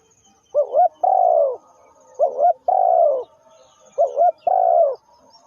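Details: Spotted dove calling: three repeated phrases, each a quick doubled low coo followed by a longer, mellow, slightly falling coo, with short pauses between phrases and a quiet background.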